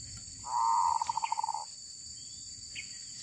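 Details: Wild female zebra dove giving a single soft rolling trill that breaks into rapid pulses as it fades. Faint twittering and a steady high whine sound behind it.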